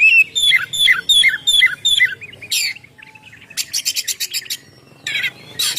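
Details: Oriental magpie-robin song, ngeplong style, played to lure birds and prompt them to sing: a run of five clear whistled, falling phrases, then harsh buzzy bursts and scratchy rattles after a brief gap.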